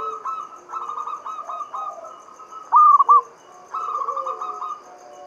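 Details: Zebra dove, a local Javanese bird, singing to draw other doves into song: trains of evenly repeated cooing notes, one loud stuttered burst in the middle, then a further run of coos.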